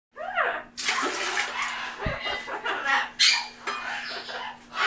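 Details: Sami, a sulphur-crested cockatoo, gives raspy, hoarse speech-like utterances such as "Back Off" and harsh screechy bursts, recorded November 2015, with a steady household hum and running-water noise behind.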